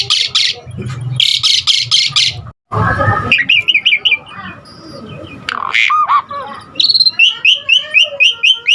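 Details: Asian pied starling singing a full, busy song meant to lure and train other starlings: bursts of harsh chatter and a short noisy break, then quick whistled slurs and a series of rapid, bright rising notes.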